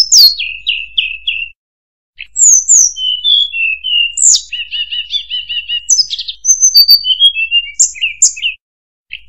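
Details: Murai buluh (tledekan) singing a rapid, varied run of high whistled notes: a short descending series of four repeated slurs, then sharp upslurred and downslurred whistles, buzzy trills and chattering phrases, with two brief pauses.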